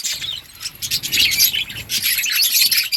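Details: Budgerigars chattering nonstop in a breeding colony, a bright, thin twittering of many overlapping squeaky chirps and trills with no pause.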